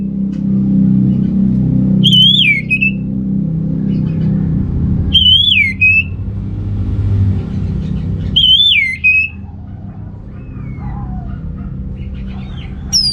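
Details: Orange-headed thrush (Geokichla citrina), a lure to stir males low in breeding drive; short whistled phrases rising then falling, repeated about every three seconds, with a loud engine rumble throughout and faint other bird notes.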